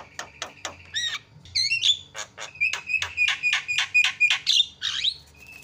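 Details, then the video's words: Javan myna in a champion tutor recording of loud senior song. Quick clicks open, then a bubbling twisted squeal and a long steady train of rasping chack notes, ending in a falling squeal and a thin high whistle. "JUARA KICAU JALAK KEBO PALING KRREENN"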